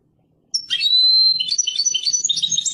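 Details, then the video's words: European goldfinch, described as Persian, breaking into song after a short silence: a long clear whistle followed by rapid tinkling and twittering notes, with faint low background noise. "Persian goldfinch songs اواز سهرهاي اروپاي"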